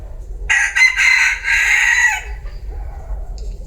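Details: Bantam rooster crowing: one loud, harsh, harmonic-rich crow of about a second and a half, split into a few short opening notes before a longer held section, then quiet with low background rumble.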